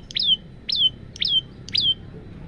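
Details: Four sharp, high, downward-sliding notes, spaced about half a second apart, from a male olive-backed tailorbird singing the 'tembakan panjang' variation, captured with a Samsung phone as a master recording for training birds.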